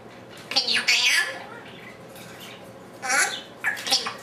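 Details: Very talkative pet African Grey, alone indoors, producing harsh, wavering squawks and garbled speech-like sounds in two bursts separated by a quiet gap, the second ending in short squeaky notes.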